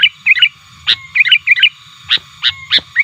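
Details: Sooty-headed bulbul lure call aimed at rivals: bubbly three-note phrases alternating with sharp clicks, steady low background hum.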